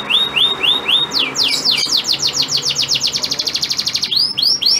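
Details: Male domestic canary singing to stimulate a female in breeding condition to crouch and accept mating. Loud, high song opens with repeated upswept whistles, shifts into rapid falling sweeps and a fast rattling trill, then returns to rising whistled notes.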